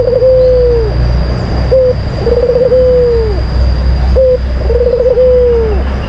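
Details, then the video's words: White collared dove lure song, a recording meant to get other doves singing. A short clipped note, then a brief trill that runs into a long, steady low coo falling away at the end, repeated about every two and a half seconds, over a constant high whine. "Pancingan Puter Putih Terampuh , Full Gacor"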